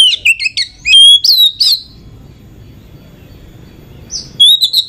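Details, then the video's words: Lure song of a female Oriental magpie-robin meant to stir males: quick bright whistled phrases with upward slurs for two seconds, then a lull with faint low hum before more high chirped notes return. "Pancingan Kacer agar Emosi buat Dongkrak emosi kacer yang kurang sumringah"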